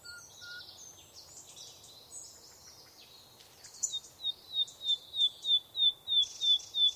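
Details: In a forest, faint mixed twittering is followed by a clear series of about ten short, high, identical notes repeated evenly about three times a second.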